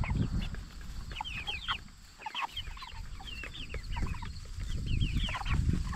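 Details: Flock of 44-day-old jumbo Cornish Cross broiler chickens raised for meat: busy overlapping chirps and brief clucks, several per second from many birds, over constant low-pitched rumble and hum.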